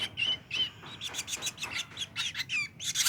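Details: Ashy drongo chick, 23 days old: short high chirps and raspy notes in quick bursts, some with a clear whistled tone, pausing briefly between each burst.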